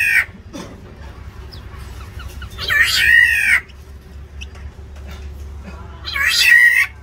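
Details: Harsh nasal mewing cries from black-naped orioles battling to hold or seize territory in an aviary. Three raspy bursts, one near the start, one at three seconds and one near the end, over a steady low hum.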